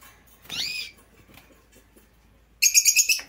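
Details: Red siskin pair, a small red and black bird: a short rising buzzy note, then a rapid run of about six sharp high chirps in quick succession.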